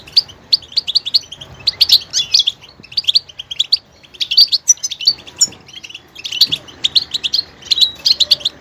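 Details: Continuous goldfinch song of quick chirps and tinkling twitters, delivered in bursts with varied note shapes and short gaps.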